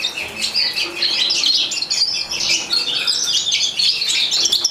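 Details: Morocco captive-bred European goldfinch singing a rapid, unbroken stream of liquid twitters and chattering notes, high-pitched and slightly rising and falling throughout.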